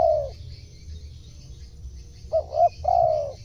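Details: Spotted dove voice for luring wild birds: the tail of one long coo, a pause of about two seconds, then a fresh phrase of two brief hoots and a sustained, softly falling coo.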